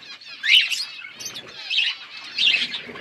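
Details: Parrots eating food, chirping in three loud high bursts of chatter about a second apart, with quieter twittering between.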